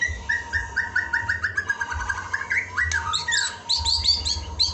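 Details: White-rumped shama masteran filler recording used to train captive birds: dense, fast varied song of rapid chirps, trills and repeated whistled notes, high and bright, over a steady faint tone and a pulsing low rumble in the background.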